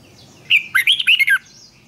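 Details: Red-whiskered bulbul singing competition-style song for training. A single quick run of rich, rolling fluty notes lasting under a second.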